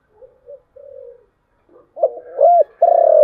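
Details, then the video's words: Spotted dove singing in the thổ chiêu gù voice: soft quiet hoots at first, then louder cooing notes, the last one long and held near the same low pitch. "cu gáy/ cu gáy giọng thổ chiêu gù"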